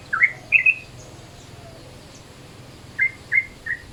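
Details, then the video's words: Yellow-vented Bulbul, midday-style calls used as a lure: two brief bursts of short, bright chirping notes, one at the start and one near the end, separated by a quiet gap with faint background hiss. "SUARA TRUCUKAN MODE SIANG"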